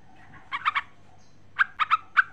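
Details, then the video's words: A female sooty-headed bulbul calls the male in two phrases, a tight triple of liquid notes followed by four spaced, slightly slurred chirps. "Suara Panggilan trucuk Betina memanggil jantan"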